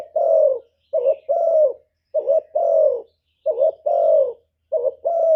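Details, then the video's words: Mellow cooing from a spotted dove kept as a lure for wild doves; four phrases, each a short bubbling note then a long, smooth, gently falling coo, repeated roughly every 1.3 seconds. "CU gáy Mồi Cực hay hạp bổi thúc gù bổi ghét, tiếng chim cu cườm, cu đất"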